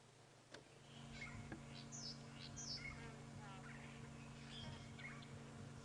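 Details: Southern black tit calling from a marula tree at sunrise in the South African bush, one of a pair, harsh buzzy churrs and thin high whistles over a steady low vehicle engine hum, with a person speaking nearby.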